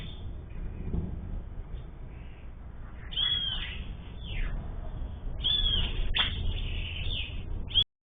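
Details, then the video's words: Sayaca tanager, a common Brazilian bird, delivering a soft twittering song of thin high notes and quick slurred whistles in two clusters, over a steady low background rumble. "Sanhaço-Cinzento Cantando"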